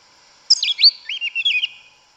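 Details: Sabiá-una, the yellow-legged thrush, in the woods with its forest-style song: one short burst of sweeping, slurred whistles that fall and rise, then a few quick chirps.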